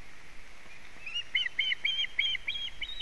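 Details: At a Latvian osprey nest on 4 July 2017 at 12:12, with a wet fish present, a rapid run of clear, whistled chirping notes repeats several times per second.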